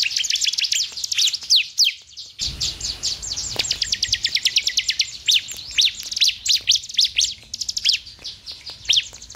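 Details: A bar-winged prinia gives a rapid, high, chattering song of thin chirps and quick downslurred notes, several per second, with a brief pause near the start; played to stimulate other prinias to sing.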